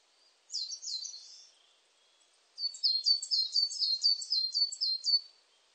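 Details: Coal tit with a brief pair of high notes, a second of silence, then a brisk run of about ten piercing two-note phrases repeated evenly. The background stays quiet.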